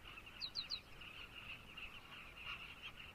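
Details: Carmine bee-eaters in Zambia calling as a colony: a dense, steady chatter of overlapping rough notes, with a brief burst of three quick, high, sharp chips near the start.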